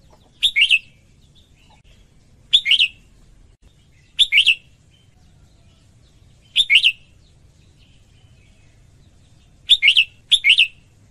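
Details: Female red-whiskered bulbul singing to stimulate males: short bright chirpy warbled phrases of two or three quick notes, repeated about every two seconds with quiet gaps between them.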